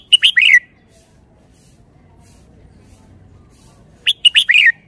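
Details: Red-whiskered bulbul singing its stylish, well-phrased song: a fast run of bright whistled notes ending in a falling slur, repeated once after a pause of about three and a half seconds.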